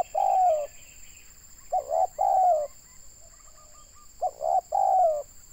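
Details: Spotted dove used as a trapping decoy in Indonesia, repeating throaty coo phrases: quick paired notes followed by a longer descending coo, three phrases, faint thin chirps between them and a steady electronic hiss.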